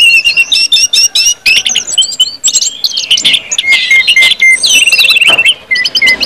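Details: Orange-headed thrush singing in full, open ngeplong style, used as a lure to make other birds sing quickly: loud, fast, varied whistled phrases with sharp chirps and rising and falling notes, broken by brief pauses.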